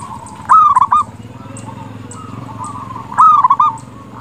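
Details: Zebra dove, a local bird in lively song used as a decoy to get other doves calling: two loud rolling coos about 2.7 seconds apart, soft cooing between, with a low hum beneath.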